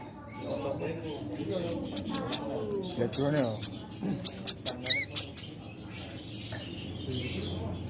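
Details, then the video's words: Caged sunbird, known locally as kolibri manggar or wiceh, singing actively: a run of sharp, high chirps and short slurred notes, quick and irregular, over low background hum. "Burung Kolibri Manggar / Wiceh Gacor"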